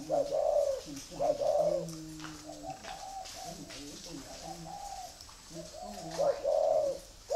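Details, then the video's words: Spotted dove, red-eyed with grey legs, kept in Vietnam, cooing: paired low coos at the start and end, with quieter deep notes between, in a small room. "chân mốc mắt đỏ giộng thổ bộ khủng"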